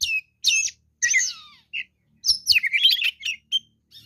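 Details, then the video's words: Oriental magpie-robin, a fighting bird singing energetically, delivers short bursts of varied high whistles and rasping notes, with brief silent gaps between phrases and a thin descending slur near the middle. "kacer deker gacor ngobra fighter"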